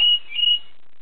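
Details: A pet canary, responding to bird calls in a song played on a stereo, gives two pure, steady high whistled notes, each held about a quarter second with a brief waver between them, then falls silent.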